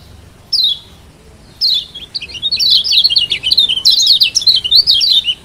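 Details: Lombok yellow white-eye, used as a lure to get a lazy bird singing: two separate high downslurred chirps, then a loud, continuous bright twittering run of rapid up-and-down notes for nearly four seconds.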